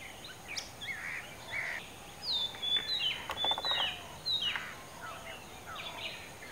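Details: Oriental magpie-robin singing from a tall dead coconut tree at Kankavli, Sindhudurg district, Maharashtra; loud downslurred whistles and mixed warbled notes, with a brief rattling sound midway.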